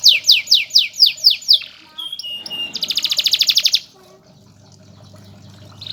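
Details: A master canary for song teaching gives six loud downslurred whistles, two flat notes, and a rapid trill, then falls nearly quiet with only a low hum and a faint final chirp.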